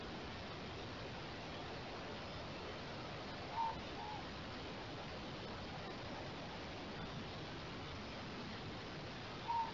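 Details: Morepork picked up by a bird monitor: two brief low hoots about six seconds apart, each a short descending note, over steady background hiss.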